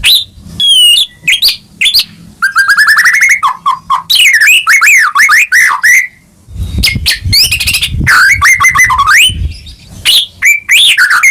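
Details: Varied song from a White-rumped shama meant to stimulate silent caged birds to sing: sharp high notes, a rising buzzy trill, rolling whistled loops and staccato clicks, backed by intermittent low rumbling noise.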